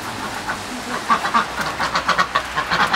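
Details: Two pet domestic ducks kept at home, gathered at feeding time and eager for food; a run of short, nasal, harsh quacks comes in quick irregular bursts, growing denser over the last two seconds.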